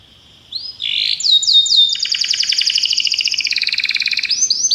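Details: Belgian canary song for training other canaries, starting with rising whistled notes, then a long fast buzzy trill of repeated notes, ending in brighter slurred whistles.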